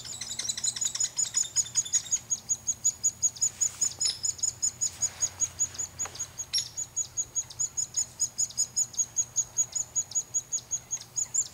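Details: Hairy woodpecker, one of a male and female pair feeding young in a front-yard tree, gives very high, thin chattering notes repeated steadily, about two or three each second, with a faint low hum underneath.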